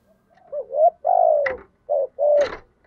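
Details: Spotted dove cooing in the local 'giọng thổ' voice style, used to stimulate other doves to coo: a low rolling coo phrase of several mellow notes, one long and slightly falling, with two sharp clicks between.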